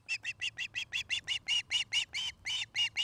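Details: Osprey at its nest near Charlo, Montana, one of a pair building a new nest, filmed by a nest camera in the afternoon: a rapid run of about fourteen sharp, whistled chirps, steady in pitch and evenly spaced, with a faint low hum beneath.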